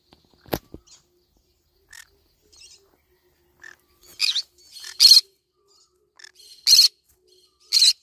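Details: Green-cheeked conure eating banana leaves, giving short harsh raspy calls in a loose series toward the end, with scattered crisp clicks and nibbling noises between them.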